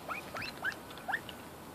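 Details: Captive red golden pheasants (Chrysolophus pictus) at feeding time, one giving four or five quick, thin chirps, each a brief rising-and-falling squeak, spaced unevenly over less than two seconds against a faint background hiss.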